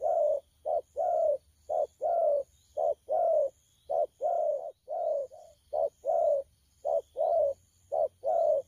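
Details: Spotted dove, a young wild-caught bird, cooing 'thổ pha' style, 12 October 2019: a lively sequence of some eighteen low mellow coos, short and long alternating at a brisk steady rhythm.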